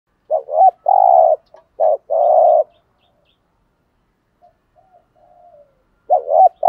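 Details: Spotted dove in the 'thúc gù' cooing style, used as a lure to provoke wild doves into answering: two phrases, each a quick wavering double note and then a longer steady low coo, with a faint soft trill and a third phrase starting at the end.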